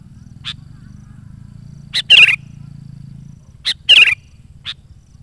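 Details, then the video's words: Sooty-headed bulbul in lively song, used for luring wild bulbuls. Sparse sharp high notes and two loud bubbly whistled phrases about two seconds apart, with a soft low hum behind. "SUARA BURUNG KUTILANG GACOR COCOK UNTUK PANGGILAN BURUNG KUTILANG LIAR DAN PIKAT AJARAN"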